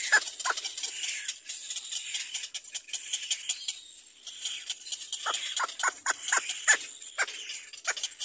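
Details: Little black cormorant chick crying for its mother to feed it: a bright hissing wash fills the first half, then rapid, sharp, downward-slurred cries repeat several times a second.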